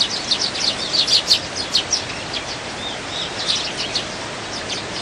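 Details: Wild Eurasian tree sparrows in winter, dozens of them jostling for food. Bright, sharp chirps come in quick bursts, loudest in the first two seconds, then sparser high tweets over soft background hiss.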